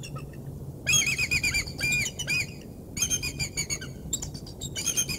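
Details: Bald eagle at the Decorah North nest on 3 March 2019, bringing prey in: loud, broken, high chattering notes in rapid bursts, a pause, then a second stuttering run and a shorter third burst over low steady background rumble.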